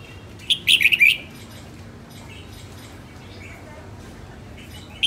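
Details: Female red-whiskered bulbul in song training gives one fast burst of bright chirping notes, then mostly quiet with a faint note at the very end.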